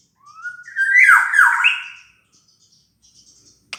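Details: Black-naped oriole sound used to lure other birds: a thin whistle climbs steadily into a loud, harsh, slurring phrase with dipping inflections, followed by faint soft chatter in an indoor-sounding setting.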